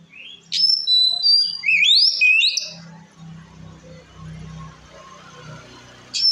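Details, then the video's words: White-rumped shama singing in "ngeplong" style to provoke rival shamas: a brief burst of whistled, sliding phrases with sharp upward sweeps, followed by a quieter stretch of low rumbling background noise and a final short note. "Suara Kacer Gacor Ngeplong Ampuh Memancing Emosi Kacer Lain - Pancingan Kacer"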